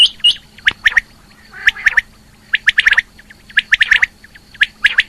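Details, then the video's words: Rain quail female calling, 2020, with rapid series of short sharp notes, grouped in threes and fours and repeated closely, and a faint continuous hum. "Female Quail Calling | Rain Quail Calling 2020 | Batair Ki Awaz"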